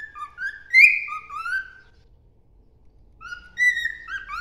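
A cockatiel whistles two short phrases of clear, sliding notes that rise and fall, with a brief pause between them.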